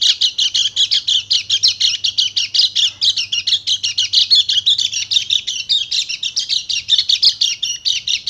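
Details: Over eight seconds of nonstop, high-pitched chirping from a Dakun Bali white-eye, fast and closely packed, used to coax silent white-eyes back into loud song.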